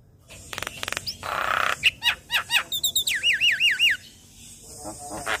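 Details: Young Asian pied starling singing busily all day: rasping, noisy notes lead into clicks and a run of looping, warbled whistles that rise and fall, then the song trails off quietly.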